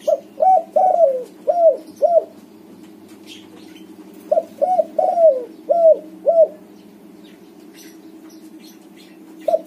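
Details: White spotted dove in full song, played to coax quiet doves into singing: a run of five mellow falling coo notes, a two-second gap, another five-note burst, then a lone coo near the end, with constant background hum.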